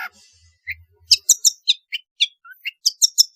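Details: Long-tailed shrike singing actively with varied fills, used as a lure to prompt silent shrikes: a sequence of sharp, high chirps and short slurred notes at an even pace, getting more rapid toward the end.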